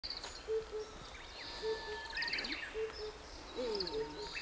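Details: Himalayan Cuckoo singing in Japan with a Lesser Cuckoo starting up nearby: low, hollow paired hoots, 'po-po', about every second, over higher bird notes and a steady insect hiss.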